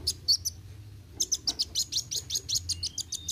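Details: Sunbird, known locally as kolibri wuling, singing energetically in a rapid 'roll tembak' style: bursts of very high, thin chirps and sharp ticks, a short pause, then a fast run of repeated piercing notes with a faint low hum underneath.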